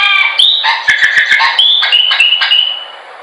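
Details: Chopi blackbird song, recorded for training: rapid whistled and clicking notes, then a series of clear level whistles that fade out at the end, over a steady low hiss.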